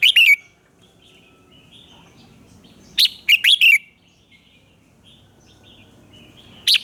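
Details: Red-whiskered bulbul singing at dawn, a fiery lure song for training: short loud whistled phrases of three or four notes, about every three seconds, with quiet warbling between them.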